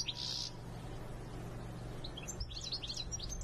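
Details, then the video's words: European goldfinch song: a bright high note opens, then a quick jumble of tinkling, twittering high notes later on, over a steady low hum and background noise. "European goldfinch Song"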